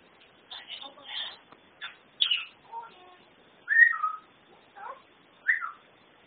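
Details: Pet African grey parrot imitating speech: muffled speech-like syllables come first, then clear whistled notes that slide down or rise and fall, over a faint hiss.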